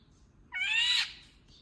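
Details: One short, grating, cat-like call from an Indian golden oriole, about half a second long, slightly rising, over quiet background.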